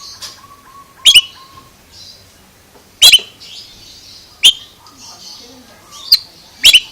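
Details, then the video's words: Oriental magpie-robin uttering strange calls: sharp cracking double chips every one to two seconds with soft hissy notes between; a low steady whistled tone sounds in the first two seconds. "Suara ANEH Kacer ini Bikin HERAN"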